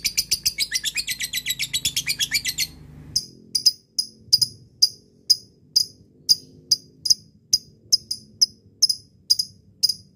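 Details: Lovebird ngekek, a long chatter used to call a rival and lure it into singing: a fast run of high, harsh chattering notes for nearly three seconds, then sharp single chips repeated about every half second.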